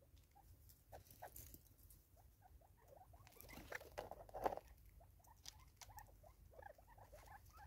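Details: Natal spurfowl, five birds feeding side by side in South Africa in 2024, murmur quick soft clucks in loose rhythmic bursts, while louder clicks and scuffles from foraging break in near the middle.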